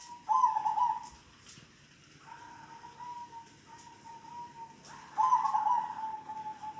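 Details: Zebra dove of a local line, kong-style song: a strong rippling coo, a stretch of soft even notes, then another loud bubbling trill, over a quiet background.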